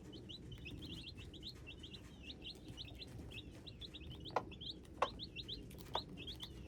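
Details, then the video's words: A group of hybrid chicks giving rapid, thin, high peeps in irregular runs, joined by a few sharp tapping clicks near the end over low background noise. "Hybrid chicks - me nyuam qaib dib txuam txoov"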